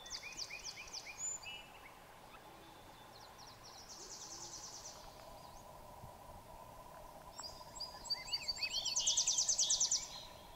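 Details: Swainson's thrush giving its familiar song of ascending notes. Faint, rising, fluty spirals climb steeply near the end. Other high thin bird notes sound earlier, over steady background noise.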